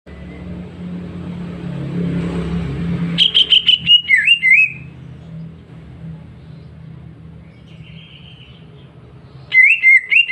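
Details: Healthy greater green leafbird kept at home singing clear, bright phrases: a burst of quick repeated whistled notes with a falling slur, silence, then another whistled phrase, over a low household hum.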